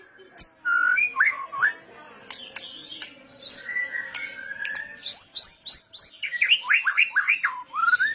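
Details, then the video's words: Murai batu, white-rumped shama, kretetan pancingan song: varied whistled phrases and a sustained whistle, followed by rapid series of sharply falling notes repeated several times per second, high ones first and then lower. "masteran pancingan kretetan burung murai batu gacor"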